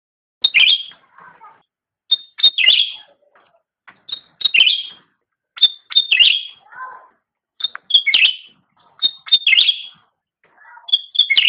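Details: Cucak rante singing persistently in a master training recording for pet songbirds: bright, high, sharp note bursts with short slurred trills, and lower buzzy chattering phrases in between, repeated roughly every two seconds in a quiet setting.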